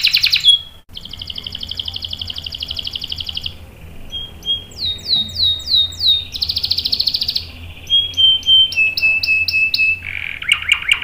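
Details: Canary in lively song, intended to spur other canaries to join with long rolling trills: buzzy trills, sharp down-slurred chirps, short whistled tones and a lower rattle, switching quickly from one phrase type to the next.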